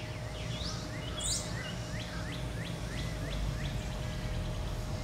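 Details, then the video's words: Male American robin, father of three eggs in a nearby nest, gives sharp, high, clipped alarm notes about two a second after an aggressive chase with a blue jay in an American holly; Alexandria, Virginia, July 10, 2019; likely nest defence. "Agitated Robin father (to be) after an interaction with a Bluejay"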